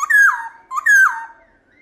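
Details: Black-throated laughingthrush singing wild-style song, played to rouse caged birds: two rich whistled notes, each rising, holding, then gliding down.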